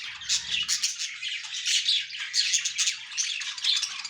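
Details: A colony of budgerigars chatters in a dense chorus of overlapping squawks, chirps and warbles.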